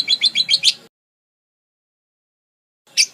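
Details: Budgerigar song in several variations, used for tutoring other songbirds: a quick run of six bright, high chirps, then silence, then one more sharp chirp at the end.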